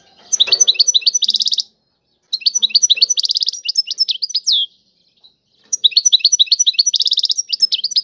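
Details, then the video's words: European goldfinch song in the tiwawati style, delivered in three bursts of quick, high, tinkling twitters with buzzy trills, separated by short silences of about half a second to one second. "اعظم تغريد الحسون طيواواطي"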